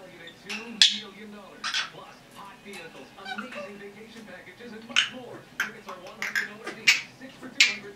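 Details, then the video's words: Young red-bellied parrot, a female about 10.5 months old, kept as a pet, chattering: scratchy mid-pitched mutterings with talking-like phrases and sharp bright squawks and whistles scattered through. "Red-Bellied Parrot - Talking, Chatter, Noises, Whistling, Chicken SUPERCUT"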